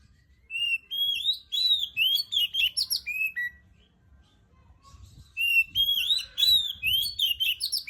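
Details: Oriental magpie-robin singing relaxedly in the morning: clear, sweet whistled phrases with rapid slurred notes and quick flourishes, a burst of about three seconds, a pause, then a second similar burst; faint low background noise.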